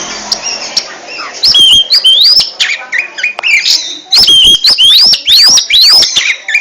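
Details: Kacer, the oriental magpie-robin, in ngentrok song: quiet opening, then loud, bright whistles that arch up and down, interleaved with sharp snapping clicks, coming in fast irregular bursts.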